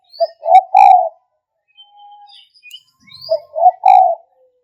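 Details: Spotted dove cooing, two phrases of short clipped notes leading into a longer mellow coo, separated by a quiet pause with a faint thin whistle.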